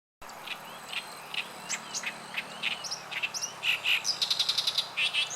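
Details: Oriental Reed Warbler song by a river on 29 June 2013: a rapid, chattering run of harsh, grating notes and squeaky chirps, several per second, with a Meadow Bunting also singing.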